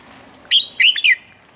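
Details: Red-whiskered bulbul standard voice for morning training of birds: a short, loud phrase of three or four clear whistled notes that rise and fall in a lilting, chirpy pattern, with little else heard.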